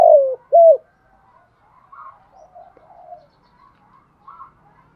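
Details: Spotted dove singing in the Thổ voice style, used as a decoy to lure wild doves: two loud, low cooing notes open the phrase, followed by softer, fainter coos trailing off over several seconds.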